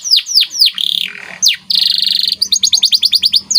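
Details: Canary masteran training song from a white canary: a few loud downward-sweeping whistles, a dry buzzy trill, another swooping note, then a fast series of sharp repeated chirps, over a faint low hum.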